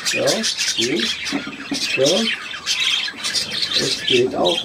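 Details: Budgerigar recorded 3 April 2017, giving a continuous high chattering warble of buzzy, rapid notes, interrupted several times by lower, harmonic voice-like bursts.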